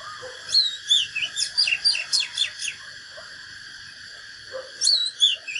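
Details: Oriental magpie-robin in fighting song, said to be from a natural bird. Rapid whistled and slurred notes are followed by a pause of about three seconds, then a brief second burst, with faint low clicks beneath.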